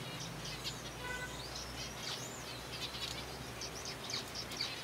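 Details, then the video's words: Colony of caged zebra finches being fed softfood; scattered bright chirps and a few longer slurred, arching calls rise above a low background hum. "Zebra Finches feeding"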